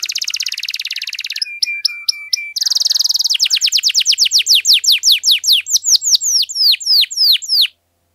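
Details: Canary singing long and loud, used to prompt silent canaries to sing: a dense buzzy trill, a few flat whistles, another trill, then a long series of fast falling whistled notes.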